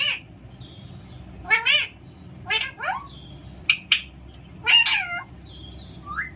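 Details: Playful Alexandrine parakeet giving a series of harsh, harmonic squawks, some rising and some falling, in bursts about once a second, over a low steady room hum.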